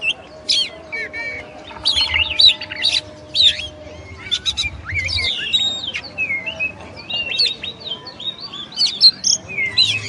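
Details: Kacer, the oriental magpie-robin, singing bursts of scratchy chirps and whistled slurs separated by short pauses, with a low hum and faint steady tone behind.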